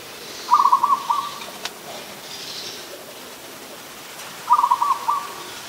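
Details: Adult zebra dove at Ubon Ratchathani, Thailand, on 24 December 2020: two rapid stuttering trilled coo phrases ending in a drawn-out note, about four seconds apart, in a quiet setting with faint distant hiss.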